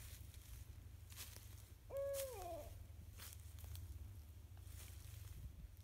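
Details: Barred Owl in a forest on a spring afternoon, answering a person's gentle hooting: a single hoot, steady and mid-pitched before sliding down at the end, over a constant low rumble of wind or handling noise.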